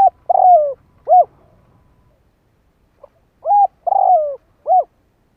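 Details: Decoy spotted dove cooing to provoke wild doves: two low three-note phrases, a short coo, a longer falling coo and a short coo, separated by about three seconds of silence.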